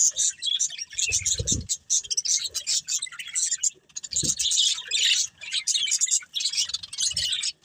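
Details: Budgerigars, a breeding pair, chattering in a dense, scratchy, high warble that runs without a break, with a few soft low thumps underneath.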